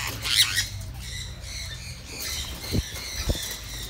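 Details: Sun conures at a bird farm in Siem Reap, Cambodia, eating freely, give soft, scratchy squawks and chatter, with a harsher burst near the start; two dull knocks sound late in the clip.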